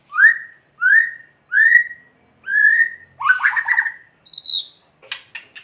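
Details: White-rumped shama kretekan song, played to provoke other shamas into singing: four clear upslurred whistles, about one every 0.7 seconds, then a burst of fast chattering notes and a higher whistle ending in dry clicks.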